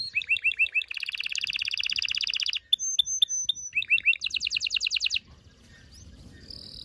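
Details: Canary song meant to stimulate males and prepare females for mating: rapid trills of repeated bright notes, looping upslurred phrases, clear whistled tones and a fast buzzy roll, all high-pitched, ending in near silence.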